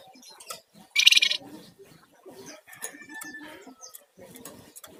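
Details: Sunda warbler singing lively, with rattling and whistling song styles, used as a lure and master recording for songbirds; one loud, fast buzzy rattle burst lasting about half a second, then faint high notes over low murmuring background.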